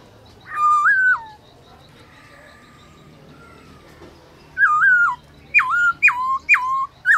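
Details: Black-throated laughingthrush, a kept bird in song training at midday, delivering forest-voice song: a ringing whistled phrase, a quiet stretch, then a rapid series of loud, sharply dropping whistles.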